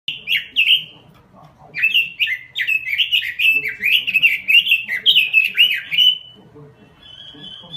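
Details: Robin singing energetically (gacor): brisk, clear warbled phrases of short downslurred whistles, one brief burst then a longer run of about five seconds, ending with a thin, steady high whistle.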